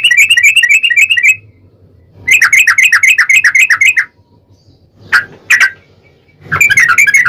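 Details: Lure recording of Yellow-vented bulbul in long rapid 'ropel' style, played to make another bulbul answer: dense bursts of fast chattering notes, about a second each, separated by silences, with two isolated sharp notes between.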